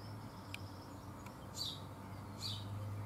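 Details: A young Eurasian bullfinch, one of a likely brood of four or five, feeding in a garden in June 2015, gives two short, high, slightly falling calls about a second apart, over a steady low hum and faint clicks.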